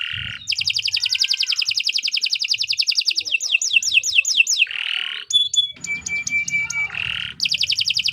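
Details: Canary in continuous 'gacor' song for tutoring birds: buzzy notes, a long rapid trill, descending sweeps, another buzz, a string of clear whistled notes, and the trill starting again.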